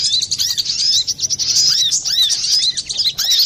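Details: Brown-throated sunbird singing busily with a clear voice, kept as lure or therapy song for other birds. High, fast chirping runs with short arched notes repeat steadily without pause over a quiet background.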